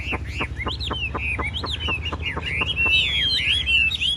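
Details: Caged Chinese hwamei in a singing contest, the bird on the far right hugging its cage door; a run of rapid whistled up-slurred notes, then slurred warbled phrases around the upper-middle pitch, over low background hum.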